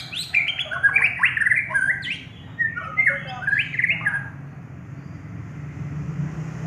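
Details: Prize-winning contest white-rumped shama delivering a rich, fast run of varied whistled and warbled phrases for about four seconds, loud and bright, fading into low rumbling background noise.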